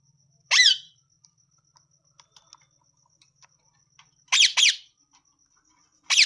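A parrot gives loud, harsh, rasping screeches: one, then a quick pair about four seconds later, and another at the end, with faint clicks and a low hum between.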